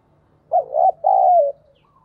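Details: Decoy spotted dove cooing in calling and thúc bổi style: two loud, rich coos, the first wavering and the second long and gently falling, over a faint low hum.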